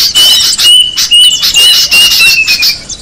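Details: Small birds used as a lure: bursts of high squeaky chatter in quick pulses, over a long piercing thin whistle repeated with short gaps and sliding slightly lower at the end.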